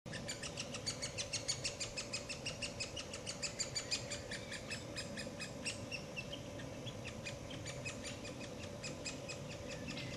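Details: Great spotted woodpeckers, a female then a male, feeding their chick: sharp, high clicking notes in a fast, uneven series of about three per second, fading after six seconds, over a steady low hum.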